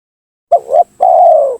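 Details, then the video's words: Single spotted dove lure phrase for drawing in rivals: a short two-part rising note followed by a long, steady, slowly falling coo. "suara pancingan gacor tekukur memaksa menurunkan lawan,bikin emosi lawan."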